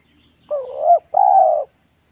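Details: Yard recording of a spotted dove's manggung and meratus style call, used for luring doves: a pair of sustained low-mid coos, the second slightly burry at its start, separated by a brief pause. A faint constant high tone underneath.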